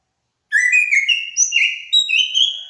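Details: Greater racket-tailed drongo, known locally as srigunting batu, a noted mimic, singing clear loud whistled phrases. Each note slurs up or down and phrases come in bursts about every half second after a brief silence. The background is quiet.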